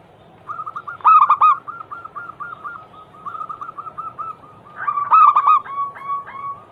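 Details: Zebra dove song used as a daily training lure to prompt other doves to sing: soft repeated coos at an even pitch, then a louder burst of three ringing coos, a quieter run, and another loud rolling burst near the end.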